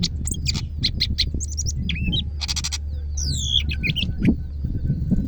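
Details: Vigorous song from a greater green leafbird of Medan, dense with chattering trills, rasping bursts, and sweeping whistled slurs mixed with squeaky mimic-like notes, over a constant low engine-like hum.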